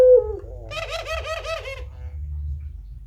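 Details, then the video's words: Puter pelung turtle dove cooing vigorously in the style kept as a training recording: a quick run of about five pulsed, mid-pitched throaty coos with rich overtones, preceded by a brief click and low indoor hum. "suara burung puter pelung gacor tak terbendung"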